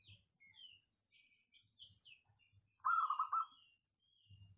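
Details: Local wild zebra dove, a clear, dense voice used as a lure: one short, fast burbling coo phrase about half a second long, with faint high chirps from other small birds before it and soft low knocks.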